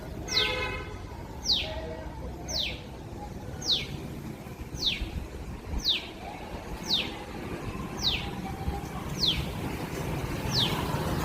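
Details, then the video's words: Small bird calling loudly for a long time from a balcony, seemingly searching for something: sharp descending whistled notes repeated about once a second, over steady outdoor background noise. "బాల్కనీలో పక్షి అరుపులు"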